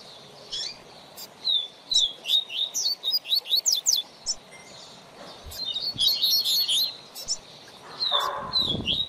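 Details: Double-collared seedeater used as a teacher bird for youngsters' learning: rhythmic series of high, sharp downslurred notes repeated quickly, a pause, then a rich warbled phrase, with a brief rustling noise near the end.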